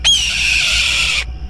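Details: A red-tailed hawk (Buteo jamaicensis) gives a single hoarse, rasping scream about one second long. It starts high, slurs slightly downward and cuts off, the sound often wrongly believed to be a bald eagle's.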